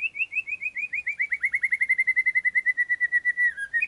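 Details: White-rumped shama (murai) song aimed at training competition birds: a fast, accelerating series of short whistled notes slowly sliding downward in pitch, ending in a brief abrupt dip and rise.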